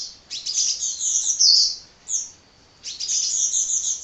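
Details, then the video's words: Sunbird singing fervently without stopping, with bright, shrill, rippling high notes in two runs separated by a pause of under a second. "Kicau Burung Kolibri Ngocehnya Ngedyan Ra Leren Leren"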